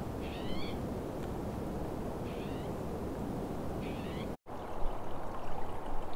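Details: Trumpeter swans calling at Upper Crescent Slough, Squamish River Estuary: three short nasal honks spaced about two seconds apart, then a break and handling noise, all over a heavy rushing background.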